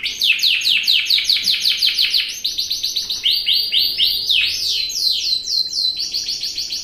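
A Yorkshire canary sings fast, high runs of repeated notes, each phrase a quick sweeping trill that switches to a new rolling tour every second or so.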